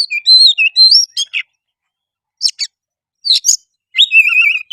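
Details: Provocation song of an Oriental magpie-robin to spur another bird to sing, fight and spread its tail: sweet rising and falling whistles, rasping chatters in short bursts, then a wavering whistled phrase.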